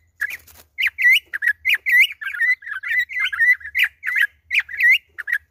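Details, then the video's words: Campo troupial on its second day, singing around 6 May at its release back to nature. It pours out fast, loud, slurred whistles with ringing overtones, notes tumbling one after another almost without pause. "Concriz imperador na pegada"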